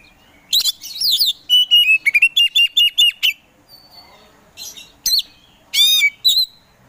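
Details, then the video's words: Caged Oriental magpie-robin (kacer) in energetic song: a scratchy burst, then a rhythmic series of about eight bright repeated whistled notes, a quiet gap, and harsh buzzy phrases with a looping high whistle. "KACER POCI GACOR SANG PROVOKATOR || LELET SUSAH BUNYI SEKIAN DETIK LANGSUNG GACOR AWOR AWOR"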